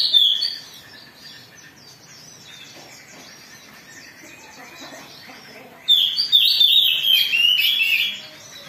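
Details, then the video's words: Excited Oriental magpie-robin song used as a provocation lure: a brief high whistled burst opens, followed by a long near-silent gap, then a loud, busy stretch of rich warbling and fluty notes for about two seconds. "Pancingan Kacer Gacor || Suara Kacer Emosi"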